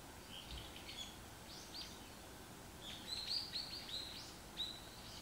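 Varied tit giving thin, high chirps and short slurred notes in loose bursts, busiest toward the end, over a soft background hiss.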